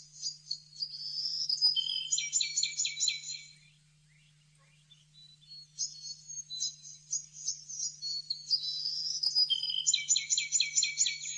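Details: Blue-necked tanager in Bogor giving high, thin, sibilant chatters in rapid runs of notes, in two bursts with a pause between, over a steady low electrical hum.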